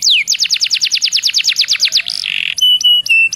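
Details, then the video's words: Canary song used as a lure to make other canaries sing: fast series of loud descending whistled sweeps, about ten per second, followed by a buzzy trill and clipped repeated flat whistles. "PANCINGAN KENARI BIAR CEPAT GACOR"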